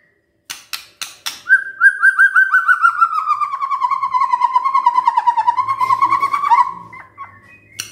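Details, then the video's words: White-rumped shama song played in the morning as a lure to make silent shamas sing: a few sharp clicks, then a long rapid run of rich, slightly descending whistled notes, steadily repeated for about five seconds. "Pancingan PAGI-PAGI AGAR MURAI GACOR❗ murai diam pasti ikut NYAUT EMOSI❗❗"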